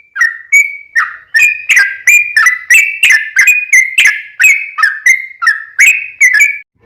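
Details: Bubbly sooty-headed bulbul song played to make other bulbuls sing, a continuous chain of about eighteen bright, liquid slurred whistles at an even, brisk pace.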